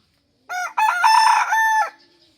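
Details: A rooster gives one crow: a short opening note, a brief break, then a long, harsh, ringing phrase that drops at the end, with no other sounds; identified as chicken.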